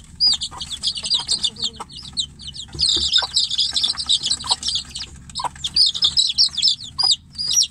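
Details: Chicks confined in a cage, away from the mother hen, call for her. High piercing peeps come in loud bunches, densest near the middle, separated by quieter stretches.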